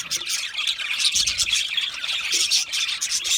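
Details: Budgerigars chirping as a flock: a dense, continuous wash of high twittering chatter and short squeaky notes, many birds overlapping with no pauses.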